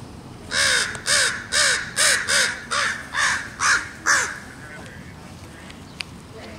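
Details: A parent crow yells at a person standing too close while its fledgling forages on tater tots in trash in a parking lot corner. It gives nine hoarse, arched caws in a regular series, about two per second, then falls quiet.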